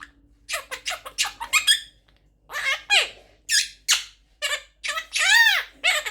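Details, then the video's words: Eleven-month-old pet Quaker parrot in a room, giving quick bursts of squeaky speech-like syllables, then a drawn-out arched squawk and more clipped chatter. "11 Months Old Quaker Parrot Talking | Parrot Speaking"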